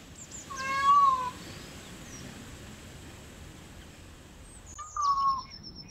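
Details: Peafowl in a muster call twice: a loud, plaintive, slightly descending wail, a long pause of background hiss, then a second similar cry near the end. Faint high whistles are also heard.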